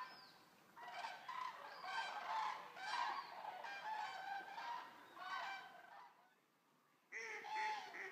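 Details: Eurasian common cranes, a flock of about 200, resting after arriving at the Racconigi stork centre in Italy. Many birds give loud, overlapping bugling calls, which fall quiet for about a second before the chorus resumes.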